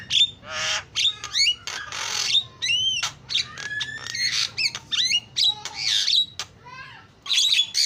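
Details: Starling singing a lure song of champion chirping: rapid sharp clicks and chattering phrases mixed with upslurred whistles, scratchy rasps and a loud buzzy burst near the middle, continuing steadily.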